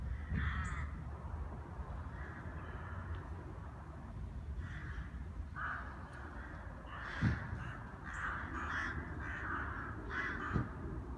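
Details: Wintering rooks in Brno, Czech Republic, gathering to feed on seed under a tree, many flying in from a few hundred metres after hearing others, give harsh hoarse caws, single or in short runs, over low wind or traffic rumble.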